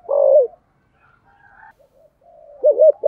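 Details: Decoy spotted dove in 'giọng sấm thổ' voice, 'thúc gù' cooing: a long low falling hoot opens, then near-silence with faint soft notes, before a wavering double coo and the start of another note.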